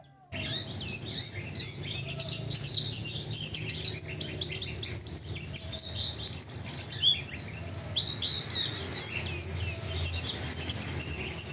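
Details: Rufous-browed Flycatcher song: high, shrill, rapid chattering phrases with clear whistled notes mixed in, somewhat rough and varied throughout, described as rougher and louder than typical flycatchers, with similar rhythm.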